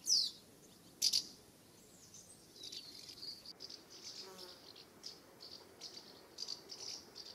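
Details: Flying around their nest site in summer in the UK, common house martins give two loud, harsh chirps close together at the start, followed by softer, more distant twittering chirps spread irregularly through the rest.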